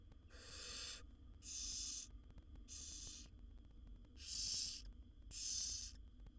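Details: Begging hisses from seven wild barn owl nestlings as their mother feeds them in a nest box: five noisy, snore-like rasps with uneven spacing, a longer gap before the fourth, over a low hum.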